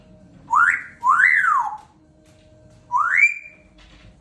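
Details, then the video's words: Pet African grey parrot, female, practising her words and tunes: three clear whistled notes, each sweeping up then down, the second longest, with a faint steady hum indoors. "African Grey Parrot hard at work practising her words"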